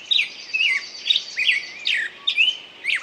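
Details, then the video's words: Short burst of bird song: rising and falling whistled notes, about two each second, over a soft continuous high trill. "пение птицы"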